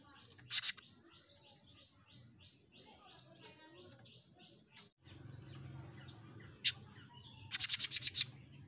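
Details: Actively singing (gacor) Jenggot Mini bird gives a rapid run of short, rising, whistled high notes repeated about three times a second, then sharp staccato bursts, with a low hum in the background.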